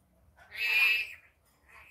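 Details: A single loud, harsh, drawn-out screech from a rainbow lorikeet in daytime, followed by a softer short squawk.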